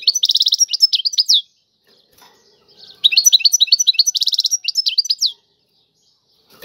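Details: European goldfinch tiwawati song. Two bursts of fast tinkling, twittered notes with a dense buzzy trill, separated by about a second and a half of silence.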